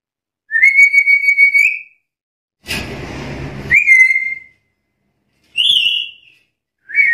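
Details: Black-capped lory challenging rivals: a long, pulsing whistle that rises at the end, a noisy harsh burst running into a falling whistle, then two shorter whistled notes.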